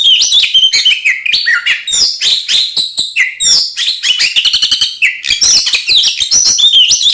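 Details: Aggressive full song of an Oriental magpie-robin, played to stir other magpie-robins into fighting; quick clicking rattles and high sweeping whistles alternate in a busy, unbroken stream.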